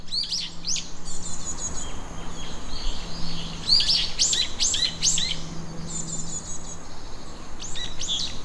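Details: Small birds in the forest of Jindai Botanical Garden, Chofu, Tokyo, on an early summer morning in 2020, sing high, thin chirping phrases in quick bursts over a steady low hum.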